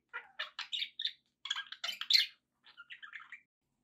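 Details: Budgerigars give a string of short, bright chirps and scratchy squeaks, then a pause and softer, quicker warbled notes.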